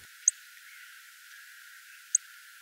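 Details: Little bunting, in coastal western European autumn/winter habitat, giving two sharp, very high 'tsik' calls about two seconds apart, between a robin's tick and a song thrush's flight call, against a quiet background.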